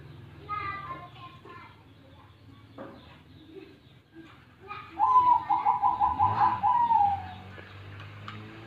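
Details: Zebra dove song: after faint background voices and cooing, a loud run of quick rolling coo notes at steady mid pitch, about eight pulses over two and a half seconds, ending in a longer drawn-out note.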